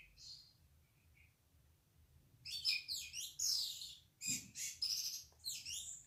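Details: Orange-headed thrush from Indonesia, singing hard in 'ngeplong' style: a few soft notes, then loud, high, rapid twittering bursts with sweeping slurs, repeated in short pulses with brief gaps.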